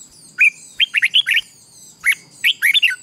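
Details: Morning training song of a red-whiskered bulbul, used to provoke a newly caught bird into contest singing: lively clusters of four to five bright slurred whistles, then a pause and another rapid burst.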